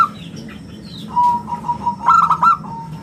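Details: Zebra dove of a local strain, an active singer prized for its round, crystal voice and used as a lure and tutor: a short burst of clipped cooing notes near the end, after a thin steady whistle and faint chirps.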